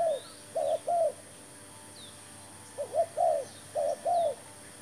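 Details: Spotted dove at a trapping site with a newly brought decoy, uttering short bursts of soft double coos with a quiet stretch between them and faint distant bird chirps.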